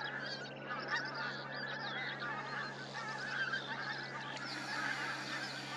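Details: Pink-footed goose (Anser brachyrhynchus) flock at Starene in 2023 calls continuously, a dense chorus of high, yelping 'wink-wink' honks overlapping throughout, with a steady low hum beneath.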